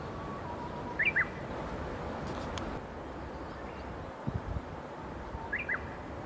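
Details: Japanese bush warbler singing in the mountains at Mizunuma Onsen, Midori, Gunma, Japan, on 18 May 2016: two full songs about four seconds apart, each a soft held whistle then a loud, rapid, upward-twisting phrase, with low rumble between.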